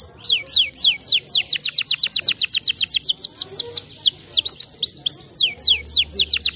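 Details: Canary song meant to stimulate other canaries: repeated bright descending whistles run together into a rapid trill, then looser swooping and forked notes, steady throughout.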